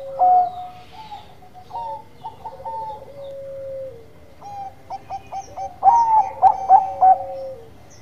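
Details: Bangkok perkutut, a zebra dove, singing in the gacor manggung manner. Repeated cooing phrases: clear ringing notes and a gliding drawn-out tone, then a quick run of staccato pulses building to a louder cluster of bright coos.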